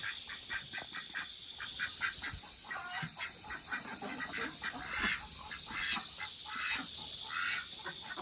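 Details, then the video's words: Ducks excited while their pond is being filled with water: a steady run of short, harsh quacking calls repeated roughly once a second, with splashing and running water beneath. "Sunshine ducks noise while I fill pond"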